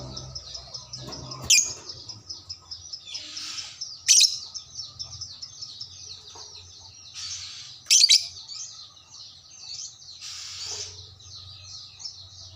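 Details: Fighter-type lovebird replying to another lovebird with sustained, high rippling ngekek chatter, punctuated by three loud piercing shrieks roughly every three seconds, with faint low hum underneath.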